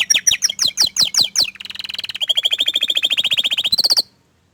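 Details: Orange frost canary singing. A run of loud, sharply swept chirps gives way to a rapid, even trill that speeds up, then a brief high flourish and silence.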